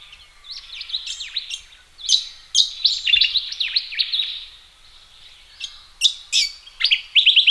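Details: Australian ring-necked parrots having a thorough wash in a pond on a sunny but chilly morning, several birds overlapping in shrill, slurred chirps and squeaks, in bursts separated by short quieter gaps.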